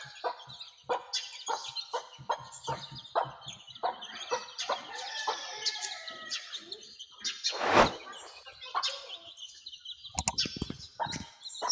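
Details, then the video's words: Hen tending her young chicks outdoors, some chicks wandering ahead: a busy stream of high, thin chick peeps and short hen clucks, with a louder burst near the middle and scattered clicks. "Hen with Chicks Chirping"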